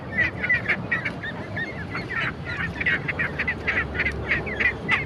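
Ducks chatter in a dense, overlapping flock, with nasal honking quacks coming several times a second over a steady low rumble of background noise.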